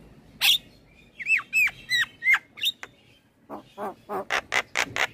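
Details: Singing male black-winged starling used as a training lure for young birds: a sharp squawk, a series of looping whistled slurs, then a fast run of harsh raspy bursts.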